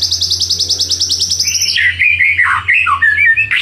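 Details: Shama lure song aimed at making rivals respond: a quick rhythmic run of high repeated notes gives way to lower warbled whistles, over a constant low hum.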